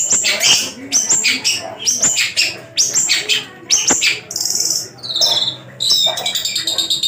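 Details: Tame caged Javan long-tailed shrike singing a rich, varied repertoire; rapid high chattering and sharp notes, then sustained buzzy trills and rattling phrases, with faint background music.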